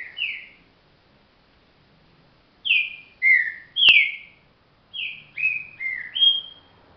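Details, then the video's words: Trinca virador, the green-winged saltator, gives loud whistled song phrases of three to four downslurred notes, each phrase separated by roughly a second, with a sharp click near the middle. "trinca virador"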